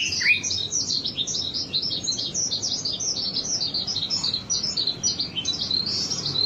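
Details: Lure recording of a wambi: a steady, rapid, high-pitched twittering chatter of small chirps running without pause, fairly soft throughout.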